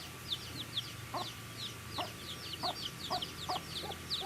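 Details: Young chickens eating, producing a wash of high, thin overlapping peeps against a noisier background hum, with repeated pecking taps about every half second.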